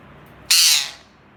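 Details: Parrot giving one loud, rasping screech of about half a second. The sound is broad and hissy, with a quick start and a slow fade.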